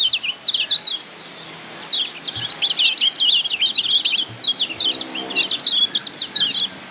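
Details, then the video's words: Lombok white-eye (kecial kuning) tutor song for training caged birds: a brief twittering opening, a short gap, then a long, excited sequence of rapid high, sweet chirps and slurs. "Masteran Kecial Kuning PADANGAN Ampuh Bikin Kecial Cepat NEMPEL‼️"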